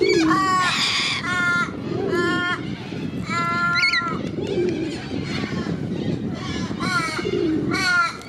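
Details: Corellas in Sydney's Centennial Park, described as particularly aggressive, give harsh, raspy screeches in bursts about every second and a half. Low cooing and a steady background rush run underneath.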